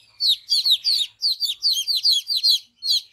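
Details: Young chicks beside a mother hen, playing and eating freely, give high, sharp downslurred peeps in quick clustered bursts, several birds overlapping, with short quiet pauses between groups.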